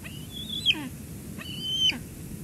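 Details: Bald eagles at a nest near Two Harbors, 17 July 2022, filmed by a live nest cam as an adult delivers lunch to the eaglet. Two high, thin whistled notes, each ending in a quick downward flick, over low steady background rumble.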